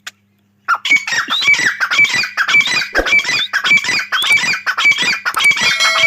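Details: Grey francolin giving a loud, continuous series of harsh, ringing call phrases repeated rapidly, almost without pause, for over five seconds.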